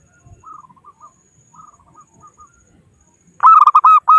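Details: Local zebra dove used as a trapping lure: soft, distant descending coo phrases twice, then a loud close phrase of quick stuttering coos ending in a longer note.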